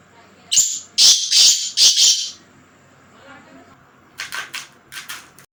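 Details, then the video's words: Black francolin, known locally as kala tetar, calling with four loud, harsh, grating notes in a quick burst, then after a pause a quicker, fainter series of short scratchy notes. "Kala tetar _مست تيتر _ tetar _tetar ki awaz"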